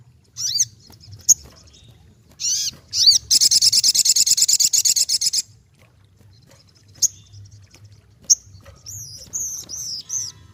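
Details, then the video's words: Ruby-cheeked sunbird singing actively, played so other birds reply: a few arched whistles, a long high pulsed buzzy trill, then scattered sharp chips and thin wavering whistles. "Bunyi Burung Sogokontong Gacor"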